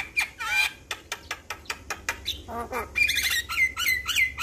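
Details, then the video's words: Energetic Javan myna song, used as training material for young mynas: a series of clicking, rasping notes, then a low nasal chatter and looping whistled phrases that rise and repeat near the end. "Jalak Kebo gacor Masteran Bikin Burung Jalak Muda Cepat Respon"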